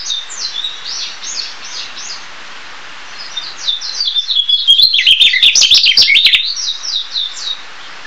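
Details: A Narcissus Flycatcher (Ficedula narcissina) sings quick, high twittering phrases that rise to a louder, tumbling burst midway, over a few sharp clicks.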